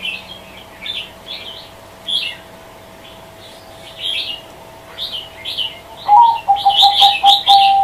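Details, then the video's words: Scattered high, scratchy chirps from small birds are followed near the end by a zebra dove's rapid series of short, level coo notes, which is cut off as it goes on. "Suara Kicau Burung Perkutut | Doves Chirping Sounds"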